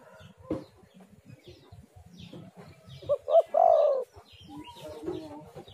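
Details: Spotted dove played as a lure to get other doves calling: one soft phrase of two short rising coos, then a longer falling crooo, over quiet low background rustling and faint chirps.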